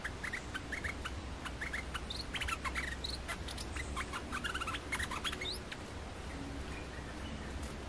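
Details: Olive-winged bulbul lure song, used to lure and catch wild birds. Dense bursts of short, bright chirps and quick slurred notes, many overlapping, with a steady low rumble beneath.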